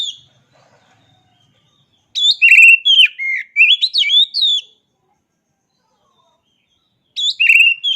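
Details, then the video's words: Oriental magpie-robin in full voice: an energetic stretch of varied whistles, trills and chattering notes for about two and a half seconds, a long pause, then a fresh burst of whistled phrases. "Dengar Suara Asli Kacer Ini"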